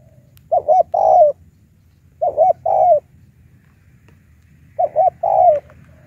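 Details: High 'tiểu cườm' lure call of a spotted dove used against wild birds: three evenly spaced phrases, each a clipped double coo running into a longer, slightly falling coo.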